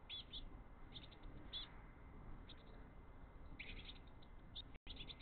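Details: Three Eurasian blue tit chicks hungry for mini-mealworms, eagerly mobbing the father as he feeds them; short high chirps and squeaky bursts come in scattered clusters, with a steady faint hum underneath.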